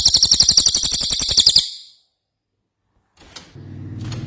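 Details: Ashy tailorbird song: a single shrill, fast-pulsed trill of about one and a half seconds, then silence and some low background rumble.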